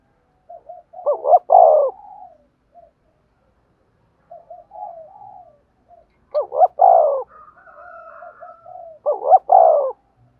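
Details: Cooing spotted dove, used to excite decoy birds into calling: three loud phrases, each two sharp rising notes and a drawn-out falling coo, spaced about four seconds apart, with soft murmuring coos in the gaps.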